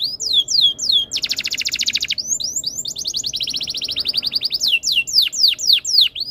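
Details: Tutor song of a canary, played so other canaries join in: bright descending whistled sweeps, a dense buzzy trill, a long run of rapid repeated high notes, then loud swooping whistles again.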